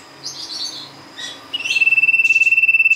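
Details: Sirtu lure song. Soft high chirps come first, then a rapidly pulsed, steady-pitched trill starts and carries on to the end.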